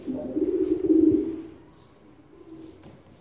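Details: A Filo pigeon gives a deep, burbling coo lasting about a second and a half, then fades to quiet with a soft, brief trailing note.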